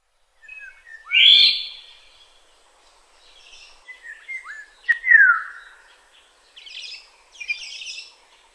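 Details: Black-naped oriole in Tainan City, Taiwan, on 21 June 2017: a loud harsh nasal burst, then short fluty whistles and a clear downslurred whistle, with softer higher chatter from other birds later.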